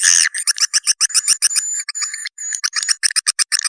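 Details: Swiftlet lure call: rapid dry chirps and clicks, some carrying thin whistled overtones, repeated several times a second in irregular bursts, bright and high-pitched with nothing low underneath.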